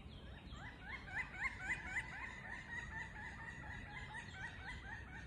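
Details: Three pileated woodpeckers on a large oak tree hold an animated exchange of loud, ringing wuk notes, about four a second, in overlapping series answering one another against a soft outdoor hush.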